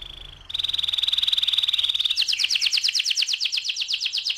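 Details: Rolling 'ngerol' song of an AF canary: a steady buzzy sustained trill, then a switch to fast repeated swept syllables several per second, with low background hum.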